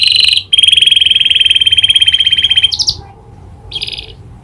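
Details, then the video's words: Canary song filled with imitated prinia clicking: a long, very rapid metallic rattle-trill held for about two seconds, then scattered short chirps over a faint background hum. "Burung kenari gacor isian prenjak klik"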